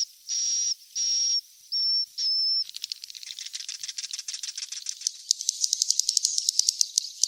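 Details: Swiftlet chick sounds for attracting swiftlets: four long hissing, whistled notes, then a rapid dry clicking chatter that quickens and rises into dense twittering clicks toward the end.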